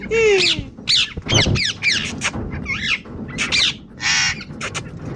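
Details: Indian ringneck parrot kept as a pet bird: a falling whistled note, then a quick run of harsh, twisting screeches and a buzzy squawk, with a low background hum underneath.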